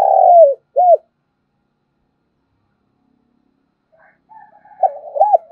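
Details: Decoy spotted dove calling to wild doves: the end of a low cooing phrase, a long rolling note and a short coo, then after a silence a softer, more distant phrase begins.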